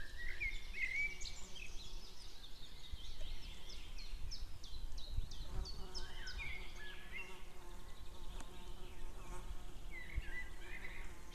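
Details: White-tailed eagle pair on 2 May 2016, the female calling and the male answering from far off: accelerating series of high yelps building to a chattering burst, then quieter calls, with constant low background noise.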